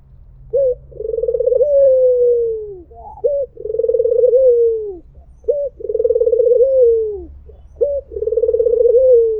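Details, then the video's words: White Barbary dove calling "mpuk jeruuu" repeatedly: crisp short introductory notes, each followed by a long, throaty trilled coo that falls away, spaced roughly every two and a half seconds over a soft low hum. "SUARA BURUNG PUTER PUTIH || MPUK JERUUU || SUARA BURUNG PUTER MERDU"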